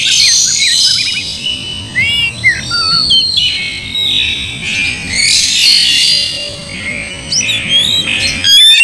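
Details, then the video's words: Oriental magpie-robin lure song for provoking a reluctant bird into singing and fighting: busy high chirps, short rising whistles and harsh squawky bursts in rapid succession, with faint low background noise. "Pancing Kacer malas bunyi jadi cepat gacor"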